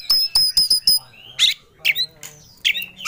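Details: Oriental magpie-robin, called kacer, singing in an agitated ngobra mood while seeking a rival. Its song is full of emotion. Quick sharp clicks and high whistled notes come first, followed by three separate harsh, buzzy downslurred phrases.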